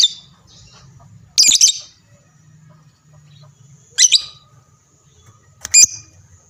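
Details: Lovebird used to prompt replies from other lovebirds: three brief, harsh squeaky bursts spaced a couple of seconds apart over a soft low hum.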